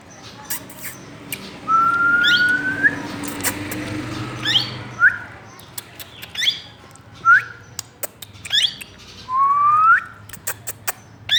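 Plum-headed parakeet giving clear, rising whistled notes, about five over ten seconds, some long upslurs and some short, amid sharp tapping clicks.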